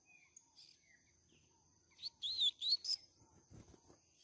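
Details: Double-collared seedeater in the Canto Grego song style, used for teaching young birds: one quick phrase of looping, warbled notes lasting about a second, with scattered soft chirps before it, a faint rustle after and a steady high whine.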